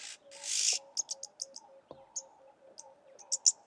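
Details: Jirri, the oxpecker of Somalia: a harsh hissing rasp opens, followed by a rapid run of thin, high clicking chirps, with a faint low hum beneath.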